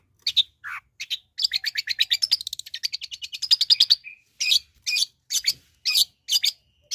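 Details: Long-tailed shrike singing a rapid, harsh chattering song: quick runs of buzzy, scratchy notes pouring out for about three seconds, then separate loud rasping bursts roughly every half second, with quiet gaps between.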